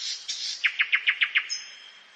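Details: Common nightingale in a forest at night delivering a short phrase: a soft buzzy opening, then six evenly spaced, loud, sharp notes in quick succession, ending in a thin high whistle.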